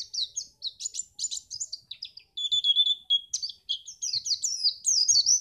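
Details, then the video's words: White-eye song, used to get other birds singing for contests: fast, high, twittering chirps and short slurred whistles tumbling in a continuous lively stream with brief gaps. "pleci ini bisa membuat burung mu gacor"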